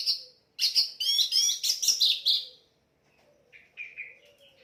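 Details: Orange-headed thrush song as a training recording: a loud, dense stretch of quick, varied whistled and rattling notes for two seconds, followed by softer, spaced whistles.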